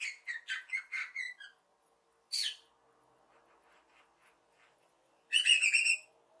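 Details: Happy lovebird chirps: a rapid run of short, scratchy notes, then a single harsh squeak and a louder, buzzy rasping call near the end.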